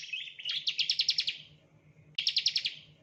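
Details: Ciblek or bar-winged prinia used as a training lure, giving a fast rattling trill of sharp repeated chirps, a pause, then a second similar burst, over a steady low hum and background hiss.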